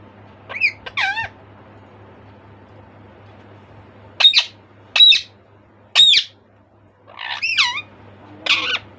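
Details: A caged pet bird stays awake at about 2 pm while its cagemates sleep, giving loud, harsh squawks that swoop up and down in short bursts with pauses, keeping the household from napping.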